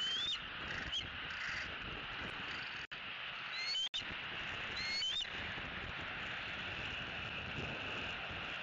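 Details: Bald eagle at a Southwest Florida nest in the evening, a young bird's last evening before leaving; several short, high whistled call notes with rising and falling slurs in the first five seconds, constant background hiss throughout.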